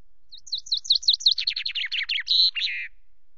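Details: Common chaffinch at Loch Garten, perched on a camera and preening between songs, 24 May: a full song opening with about seven high down-slurred notes, speeding into a lower rattling descent and closing with an emphatic flourish.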